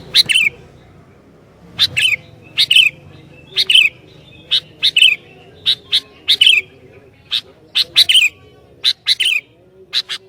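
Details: Sooty-headed bulbul singing vigorously, said to provoke other bulbuls: bursts of sharp bright chirps every second or so, some with short downward-slurred whistled notes, a faint low hum beneath.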